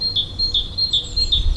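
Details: A Great Tit sings at dawn at 6:35 in spring near Neuchâtel, Switzerland: a high, ringing two-note 'teacher-teacher' phrase repeated about every 0.4 seconds, with a faint low rumble underneath.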